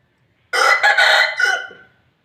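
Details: An Aseel or Desi rooster crowing: a short, hoarse crow of about one and a half seconds, a strong first note and a rougher middle, then a fading tail, in quiet surroundings.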